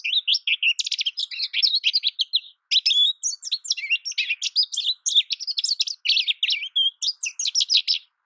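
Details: An American goldfinch in loud, almost unbroken song, a fast jumble of high chattering, trilled and slurred notes that runs on with only one brief pause.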